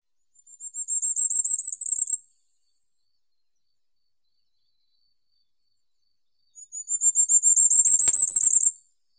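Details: Firecrest singing: two bursts of about two seconds each, a very high, thin, rapid series of notes that swells in loudness, separated by roughly four seconds of silence; a sharp click near the end of the second burst.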